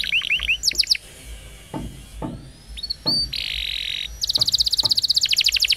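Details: Canary roll song for training young canaries, with rising chirps, a pause filled by faint knocking sounds, a buzzy burst, and finally a quick, even high trill.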